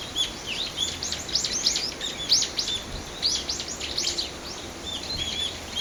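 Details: Birds calling beside Aobagaike pond on 20 December, from a side path: a busy chorus of high, thin, chirping and twittering notes repeated about once a second, over steady background hiss.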